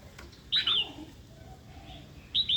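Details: Female red-whiskered bulbul calls meant to provoke a wild-caught male to sing and fight; two bright, slurred downward whistles about two seconds apart over a steady background hiss.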